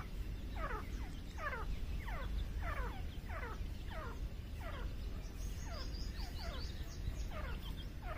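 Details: Grey francolin in jungle giving loud, harsh, downslurred notes repeated roughly every 0.7 seconds, with a second, fainter caller, over steady low rumbling noise.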